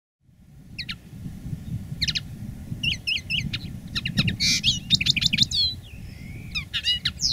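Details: Common linnet decoy bird singing live: scattered high twitters, short trills and a buzzy rattle, broken by pauses, over a steady low rumble of background noise.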